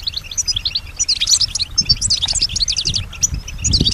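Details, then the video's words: A pet European goldfinch, said to imitate other birds, whispers and human voices, sings rapid, scratchy twittering phrases broken by brief pauses. The notes are high and tinkling, with faint low background noise. "keep your goldfinch healthy and singing"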